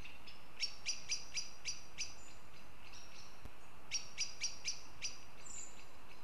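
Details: Goshawks in Riga, Latvia: two bursts of rapid, sharp repeated notes, six then five, roughly four per second, separated by a short gap, with a faint high chirp near the end and constant low background hum.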